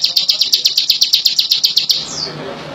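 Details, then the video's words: Bar-winged prinia in full song, giving a quick string of about a dozen bright, high chips at a steady pace, ending with a short downward-slurred note. "Burung ciblek lulut gacor"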